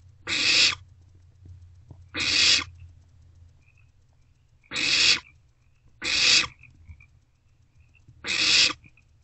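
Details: Nest-box owlet at night in late March 2024, after a parent delivers a vole: five loud rasping hisses spaced about one and a half to two seconds apart, over a faint low background hum.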